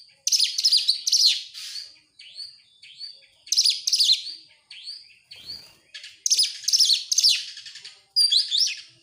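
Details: Oriental magpie-robin song used as a lure for other birds: loud grating bursts of chatter separated by quieter whistles, with about four main bursts at regular intervals.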